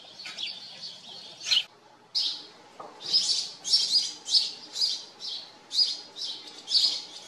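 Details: Several chirping house sparrows at a farm. Uneven chirps at first, then a brief pause, then a lively, rapid series of loud, bright chirps.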